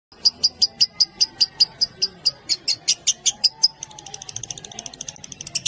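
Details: Lovebird giving ngekek, a long chatter, in a tutoring recording: sharp high chirps repeated about five per second for nearly four seconds, then a quicker, softer run of clipped notes, with a faint low hum beneath.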